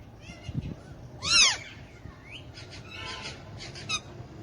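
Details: Hand-tame Alexandrine parakeet kept as a pet with ringneck parakeets, speaking Urdu/Hindi: a single loud, rasping squawk stands out among softer chattering notes in a room with faint background noise.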